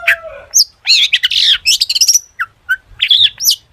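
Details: Full mimicry-laden song of a long-tailed shrike, meant to make other shrikes sing: a dense jumble of warbled whistles, harsh squawky notes and rapid chirps with barely a pause.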